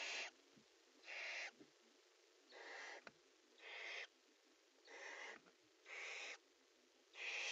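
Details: Barn owls at a nest box, a pair in courtship, give harsh, breathy hissing screeches, each about half a second long, repeated roughly every second and a half over faint background hiss.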